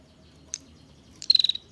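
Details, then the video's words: Female bar-winged prinia, a master song for training songbirds: one sharp introductory tick, then a short burst of about six fast buzzy pulses on a single high pitch. "Burung Prenjak Betina Ngebren Rapat"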